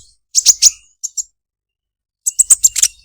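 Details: Olive-backed sunbird: short clusters of piercing high chirps, three together, then two, then a quick run of five after a silence.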